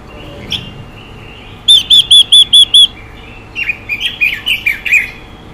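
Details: Female Chinese hwamei singing and hissing to stir up male birds: a run of six loud, clear whistled notes evenly repeated, followed by rougher, buzzier warbled notes, with a brief faint note at the start.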